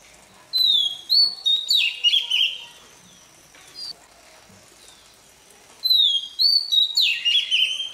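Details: Oriental magpie-robin, newly caught, warming up its voice each morning: two bursts of loud whistled phrases, each a clear falling note followed by buzzy warbles, separated by about three seconds of near quiet.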